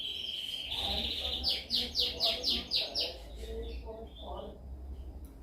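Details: A canary sings a dominant song used for training other canaries: a steady high whistle, then a fast trill of about seven sharply falling notes, roughly four a second, ending in softer twitters.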